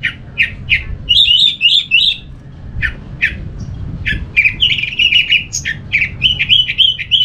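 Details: Orange-headed thrush song, used as a lure to set other thrushes singing: loud, high phrases of short chirps, whistles and scratchy, buzzy notes, several a second, over a low background rumble.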